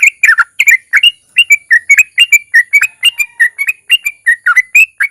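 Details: Lure recording of a Sooty-headed bulbul's long ropel song with narung, played to make other bulbuls sing: quick bubbling phrases of rising and falling whistled notes, tumbling in tight irregular bursts.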